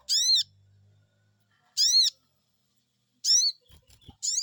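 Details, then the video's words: Sogon, or Crested Jay, calling back to a lure with "cuiit cuiit": three strong, arched, harmonic notes about a second and a half apart, plus a faint low hum and a few soft knocks. "Cuiit cuiit,,pancingan burung sogon bikin resfon,,,langsung nyaut"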